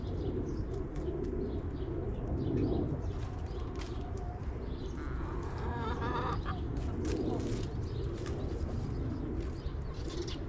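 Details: Backyard hens clucking while relaxing in their coop: low, murmuring clucks rise and fall throughout, with a brief nasal, drawn-out call near the middle, faint chirps of wild birds above, and a steady low rumble underneath.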